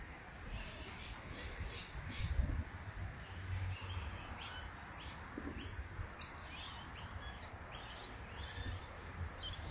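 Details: A juvenile female magpie-lark (Grallina cyanoleuca) gives a series of short, sharp, repeated calls over a steady low background rumble.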